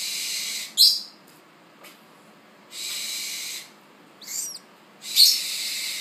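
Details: A still-blind tropical screech owl nestling, hatched 1 September 2013 and kept captive, calls for its first meal with rasping hiss-screeches, about five bursts, some starting with a sharp high squeak, in a quiet room.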